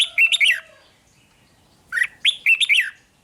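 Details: Thai red-whiskered bulbul song, played to excite caged birds; two lively phrases of bubbling, warbled whistled notes separated by a second of quiet.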